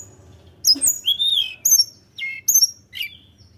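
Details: Sunda robin singing to provoke rival birds: bright, very high whistled phrases with notes sliding down, delivered in quick groups separated by short gaps.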